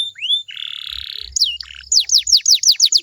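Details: Singing canary, meant to get listening canaries to sing in reply: a rising whistle, a long grating buzz, a quick chattering phrase, then loud downward-swept notes repeated about three times a second.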